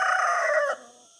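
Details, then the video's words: Rooster crowing, the final part of a loud harmonic crow held steady for under a second, then cut off and fading to a quiet background hum. "sound Rooster very beautiful"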